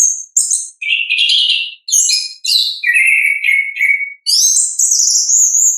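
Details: Ngeplong-style song of an orange-headed thrush, recorded from nature: an almost unbroken run of sharp high notes, buzzy trills and a long whistle that climbs at the end.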